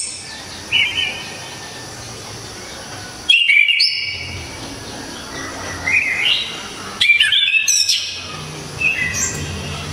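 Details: Orange-headed thrush from Java, its song described as very loud, sharp and clear with 'tembakan' bursts: short whistled phrases near 0.8, 3.3, 6, 7 and 9 seconds, each rising into higher ringing notes, with quiet gaps and a faint steady hiss between.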